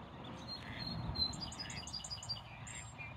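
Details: Mallard ducklings passing nervously close to a person filming; a short run of thin, high peeping notes repeated rapidly through the middle of the recording, over low steady background rumble.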